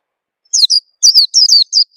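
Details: Oriental white-eye lure call used to prompt other birds to sing: short high chirps, each sliding downward, given singly and in close pairs over two seconds, against a silent background.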